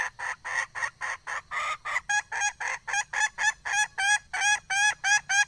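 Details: Steady, evenly spaced clucking from a wild junglefowl hen, about four loud harsh notes each second, keeping up throughout without a break.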